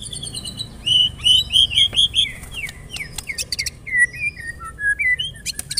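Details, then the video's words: White-rumped shama song: a run of clear whistled notes, then assorted slurred whistles, sharp clicks and falling notes, varied and melodious over a low background hum. "LANGSUNG CEPAT NYAMBER TAK TAHAN DIAM MURAI MENDENGAR PANCINGAN INI"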